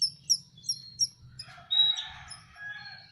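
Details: Hand-fed young canaries give four sharp, high chirps, about three a second. A burst of rustling, scratchy noise follows, over a low constant hum.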